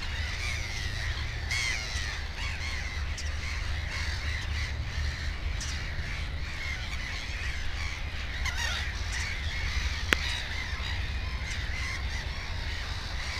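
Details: Black-headed gulls near a nest with two chicks give a dense, continuous stream of scratchy, rasping calls, one voice over another, above a low droning hum and a single sharp click.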